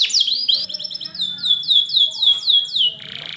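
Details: Canary singing to train young canaries: repeated arching, high whistled notes in a steady roll, closing with a short buzzy rattle.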